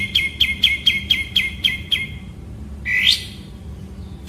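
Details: White-rumped shama (murai batu) master song in kapas tembak style: eight crisp identical chirps about every quarter second, then a brief pause and a rising, slurred whistled phrase.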